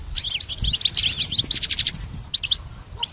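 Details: Pet goldfinch training song: a dense twittering phrase with quick trilled notes for about two seconds, then a pause and a few separate chirps.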